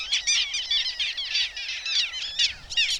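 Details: A passing flock of little gulls, unexpected, over the Vistula near Błotnik on 20 June, gives a dense overlapping chatter of short, high, nasal yelps, many birds calling at once without pause.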